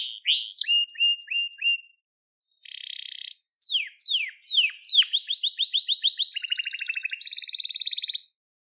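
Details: Crested Gloster canary singing, for training young birds: paired chirps, a buzzy rattle, sweeping downslurs accelerating into a rapid trill, then a steady layered buzzing roll at the end.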